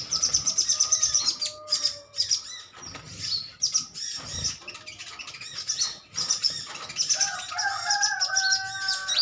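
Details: Colony of green metallic sunbirds chattering at each other, brisk irregular bursts of high chirps, roughly two a second, with some lower whistled notes near the end.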